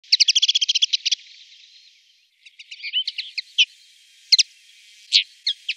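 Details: Common linnet song in Wittlich, 2017: a quick opening rattle of bright, even notes, then a loose twittering run of varied chirps, buzzy notes and sharp high flicks over a quiet background.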